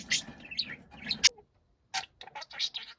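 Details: Pet budgerigar, described as noisy and shouting: a few quick, piercing chirps and buzzy squeaks, a brief silence, then a tight cluster of sharp high notes.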